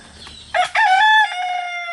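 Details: One of three roosters kept with their hens, crowing to communicate with the others: a loud, strongly harmonic crow that rises sharply, then holds a long, steady drawn-out note to the end, with faint background noise before it.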